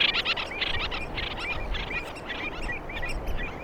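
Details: Common Terns giving social and conversational calls during interactions: a busy, overlapping stream of short, sharp, grating notes, several birds calling at once over a steady rumble of wind or surf.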